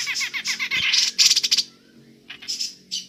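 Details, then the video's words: Grey-cheeked bulbul giving ngepik calls for use as a lure: a busy burst of rasping, buzzy chatter and sharp high notes, a short gap, then more scratchy calls, with faint background hum. "Burung cucak jenggot ngepik cocok untuk pancingan"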